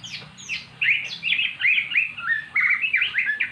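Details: Magpie-robin, previously silent, singing after being coaxed with magpie-robin song played from the internet; rapid varied whistled and slurred phrases, many rising and falling, delivered in quick succession with short gaps.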